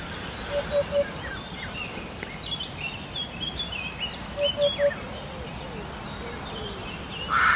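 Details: Hoopoe masteran song: two series of three low, hollow, evenly spaced hoots, several seconds apart, with other birds chirping and whistling in between and background hiss throughout.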